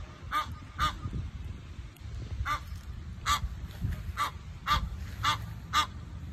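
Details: Agitated Egyptian geese honk at a squirrel invading their space: sharp nasal honks in uneven clusters, a brief pause near the middle, then a rapid series, with low rumbling noise beneath.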